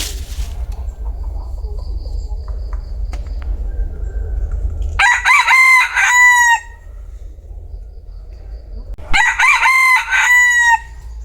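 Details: Bantam rooster crowing twice, each crow a loud harmonic, drawn-out call of about one and a half seconds, the second about four seconds after the first, with quiet low background rumble between.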